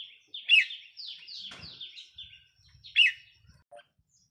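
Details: Decoy red-whiskered bulbul, 4 May 2023, sings two loud, rich phrases about two and a half seconds apart, linked by a string of falling, slurred notes, with faint low knocks.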